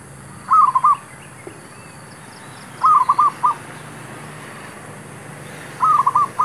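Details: Zebra dove used to lure wild birds during trapping, giving three phrases of quick, mid-pitched stuttering coos spaced about two and a half seconds apart, with soft high chirps and hiss in the background.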